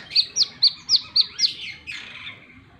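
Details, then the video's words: Plain-throated sunbird sings six crisp, high, evenly spaced chips about a quarter second apart, then a fading, buzzier high trill. "Burung Kolibri Kelapa | Wiceh Gacor!!!"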